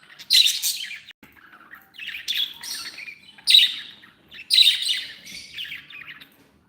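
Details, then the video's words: Pet budgerigars in a happy mood warbling in uneven bursts of raspy chirps and squeaky notes, with about four loud bursts separated by softer chatter. "Happy budgies sound"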